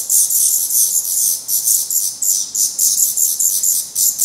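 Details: Black redstart young with down on their heads, fed by parents at the nest in Portugal: loud breathy, hissing begging in rhythmic surges, about two per second.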